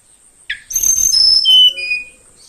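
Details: Young Bornean flowerpecker (tledekan), taken from the forest and kept caged for about two weeks, singing in the morning: a sharp rising chip, then a rapid run of thin, high whistled notes stepping downward, over a steady high insect drone.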